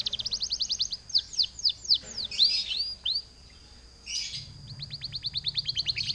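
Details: Canary song for luring other canaries into singing: a quick series of chips, then slower downward-sweeping whistles and buzzy bursts, a short pause, and a fresh run of rapid repeated notes.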